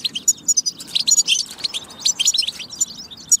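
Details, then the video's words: Goldfinch singing, played to encourage other goldfinches to sing. A rapid chatter of high, sharp chirps and liquid trills with brief pauses, shifting pitch constantly. "بتبة فتاكة لتحفيز الحسون على التغريد"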